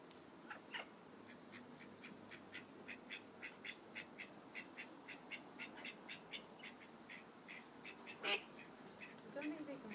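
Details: Call duck ducklings giving a rapid series of short, high peeping calls, roughly twice a second, with one louder sharp note near the end; faint background murmur.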